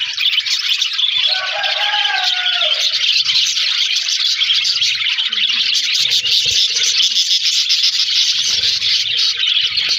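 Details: Continuous high twittering from a colony of budgerigars kept in an aviary, a steady wall of overlapping chirps and warbled notes with a few low faint sounds beneath.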